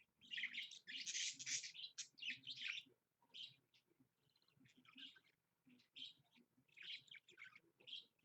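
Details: Pet budgerigar (parakeet) kept indoors, recorded on a Monday morning at 7 am in February 2015; bursts of rapid, scratchy high chirps and warbling chatter in clusters, with short pauses between.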